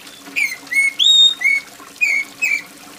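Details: Oriental magpie-robin in full, loud shrill song, used as therapy to make reluctant birds sing: six short clear whistled phrases, some sliding down, some rising then held, spaced about half a second apart, with soft rain-like trickling behind.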